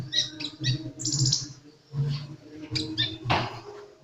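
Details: Sunbird giving short, high, buzzy twitters and chips in rapid clusters, with a low background rumble and a brief broadband rustle near the end.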